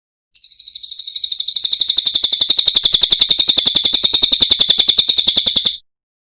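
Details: Cililin masteran, a training song for cage birds: a fast, even, high-pitched trill of rapid repeated notes that swells in and runs steadily for about five seconds before stopping abruptly.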